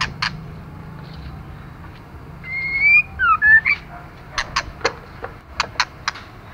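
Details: A female white-rumped shama calling to rouse males. A faint click opens, then a rising whistle and a few short whistled notes, followed by a run of sharp dry clicks against a low hum.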